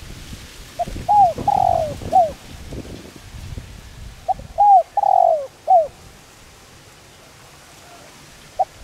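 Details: Spotted dove giving a calling coo used to lure and train birds: two mellow phrases of a short note, arched coos and a longer drawn-out falling coo, about three seconds apart, over faint rural background noise.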